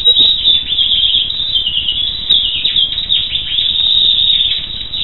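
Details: Continuous high twittering from a black siskin, with quick chirps and short trills running without pause.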